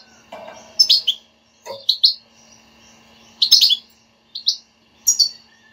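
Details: Goldfinch 'batbata' used to excite a non-singing goldfinch: groups of two or three sharp, high chirps every second or so, with a soft lower rasp near the start and a steady background hum.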